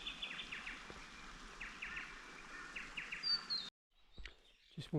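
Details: Leaden Flycatcher in dry brigalow woodland west of the Divide, Australia, in fine weather: short, bright chirped notes around mid-high pitch in quick pairs and triplets every second or so; a man speaks and other birds call near the end.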